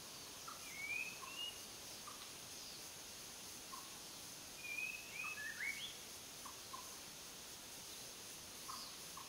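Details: White-rumped shama song, sparse and somewhat distant: a few high slurred whistles in two clusters with scattered short lower notes between them, over constant soft hiss.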